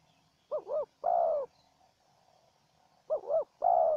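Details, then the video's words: Spotted doves, a wild bird and a decoy bird used for trapping, duelling in voice: two phrases, each a quick double-humped cooing note followed by a longer, steady, slightly falling coo, with a quiet gap between. "Pikat dan Terkukur Liar Adu Suara"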